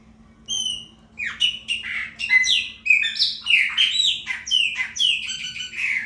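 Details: Chopi blackbird (preta fumaça) singing to claim its area: an opening whistle followed by a series of sharp, downward-slurred chirps and liquid notes, roughly two per second for five seconds, over a soft constant hum.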